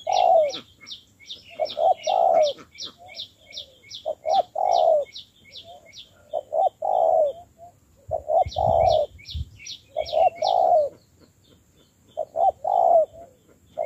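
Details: Spotted dove, a fresh wild-caught bird in decoy training, cooing steadily. Low phrases of two quick notes and a longer hollow coo repeat about every two seconds. Thin high chirping and a brief rustle are heard partway through.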